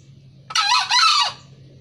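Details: Wild-type green junglefowl from Kebumen in Central Java giving a short, hoarse two-part crow of under a second. A rasping first syllable runs into a slightly longer second one over a quiet background.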